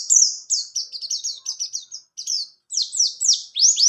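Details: Short burst of 'ngalas ngerol' rolling song from a buxtoni white-eye, a tutor song for other birds: quick descending whistled notes in a rapid string, a brief pause, then louder sweeping slurs.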